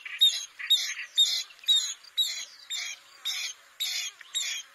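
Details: A bronze-winged jacana repeats short, scratchy, nasal squeaks at an even pace of about two per second, sounding somewhat distant and quiet.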